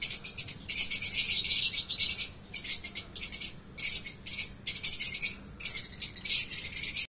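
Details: Fischer's lovebirds in a breeding setup chattering in dense, shrill, buzzy bursts of high squeaks, nearly continuous with brief pauses, several birds calling together.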